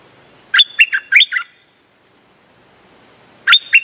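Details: Streak-eared bulbul call used as a trapping lure: a five-note bubbly phrase, then silence, then the same phrase starting again, with a steady high hum behind it.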